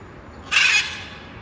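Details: Blue-and-yellow macaw recorded in the wild, giving one harsh, raspy, broadband scream lasting about a third of a second against a quiet background.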